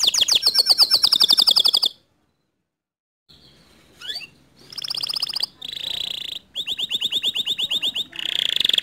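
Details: Canary song for stirring a quiet canary to sing: a loud rolling trill, a pause, a single rising sweep, then bursts of buzzy and pulsed trills separated by short breaks.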